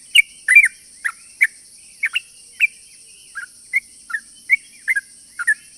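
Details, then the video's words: Sooty-headed bulbul lure song meant to draw in other bulbuls: spaced, clear whistled chirps and occasional doubled notes about twice a second, softer toward the end, over a constant high hum. "pancingan burung trucuk gacor ropel panjang ini bikin semua burung trucukan yaut seketika"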